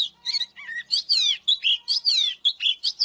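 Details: Oriental magpie-robin in full song to incite fighting: rich, rolling whistles gliding up and down, closely packed phrases with scratchy notes between, about one burst per second.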